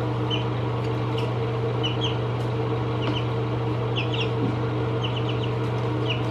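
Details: Chicks seventeen days old give scattered short high peeps, a few at a time with gaps between, under a strong constant low hum.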